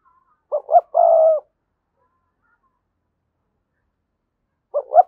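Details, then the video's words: Spotted dove decoy coo intended to get wild doves cooing: two short notes and a long sustained coo, a pause of over three seconds, then the opening pair of notes again. "Tiếng chim cu gáy thúc bổi, mở lên nhá bổi gáy liền, giọng may bổi"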